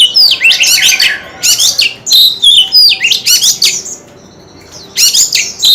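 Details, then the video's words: A white-rumped shama sings with its tail fanned. It pours out dense, varied whistled phrases for over three seconds, falls silent for about a second, then starts a fresh loud phrase. "Tiếng chim chòe than hót - Chòe than hót xèo đuôi cực hay"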